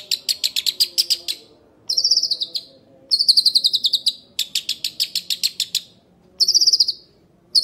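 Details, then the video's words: Young shrike chattering continuously: rapid harsh notes in bursts alternating with smoother, slightly falling squeaky trills, repeated over several seconds. "Burung Pentet Muda Ngekek Panjang"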